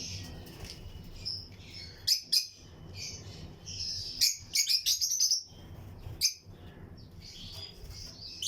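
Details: Lutino lovebirds in pairs in a breeding colony aviary, chirping among other birds; high, sharp chirps and short twittering bursts come irregularly, loudest around the middle, over a low steady background hum.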